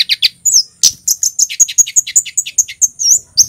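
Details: Scarlet-headed Flowerpecker male from Java singing the cit keres style at full volume: a fast, steady string of piercing high tsit notes, about five per second, each sharply slurred, with no pauses.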